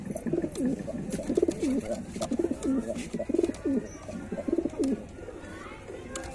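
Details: Low bubbling coos from white pigeons, each a short rising-then-falling rolled phrase repeated roughly every second, against a hiss of room noise and soft clicks.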